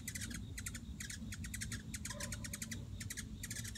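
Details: Hummingbirds chirping on 9 September 2016: quick bursts of sharp, high ticking chips, three to five in a rapid run, repeated roughly every half second over a steady low hum.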